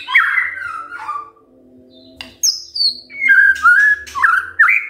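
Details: White-rumped shama singing in the morning to provoke other birds: warbled falling whistles, a pause, then a high thin descending note and a string of mellow whistled notes, over a low hum.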